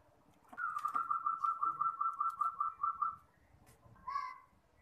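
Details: Champion local zebra dove singing to train young birds: a steady run of about a dozen quick, evenly paced coo notes lasting nearly three seconds. A short separate harsher sound comes after a pause.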